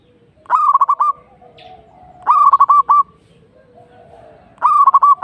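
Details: Zebra dove, local type, repeating a stuttering cooing phrase three times about two seconds apart, each phrase five or six rapid notes with the last drawn out; faint background cooing between.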